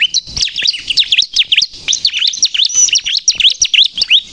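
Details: Crystal-type Bar-winged prinia used to lure and provoke birds: sharp, high, V-shaped chirps dipping then rising, about three a second in an uneven rhythm, clear and loud.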